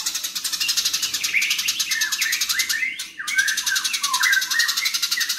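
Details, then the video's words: Rapid, dense sparrow chatter from fighting house sparrows, a steady machine-gun rattle overlaid with scattered chirps and short rising and falling notes, briefly interrupted near the middle. "BURUNG GEREJA NYERET SPEED RAPAT VOLUME KERAS GACOR KONSLET"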